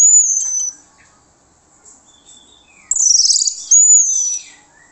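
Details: Orange-headed thrush song played as a lure to draw answers from other birds: a high thin whistle, a pause, then a loud scratchy burst and another clear whistled phrase, no other sounds.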